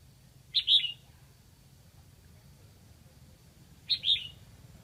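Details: Lang Son decoy red-whiskered bulbul calling to draw in wild birds, repeating the same quick two-note whistled phrase twice, roughly three and a half seconds apart, with steady low rumble between.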